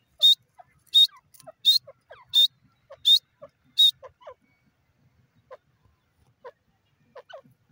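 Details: Francolin giving six loud, sharp, ringing bursts at a steady pace of under a second apart, then falling silent while soft, scattered chirps of small birds continue.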